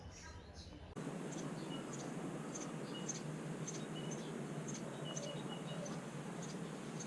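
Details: Nestling Eurasian tree sparrow in a nest behind a house's bamboo blind, Bali, rainy season between 29 October and 6 November; after a brief muffled start, short high peeping notes repeat rapidly and fairly evenly over constant hiss.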